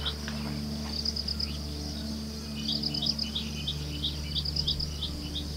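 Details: High, sweet chirping phrases from an ashy-crowned sparrow-lark: quick, tinkling, slightly trilled notes repeated in clusters about every two seconds. A continuous low drone and insect buzz sit in the background.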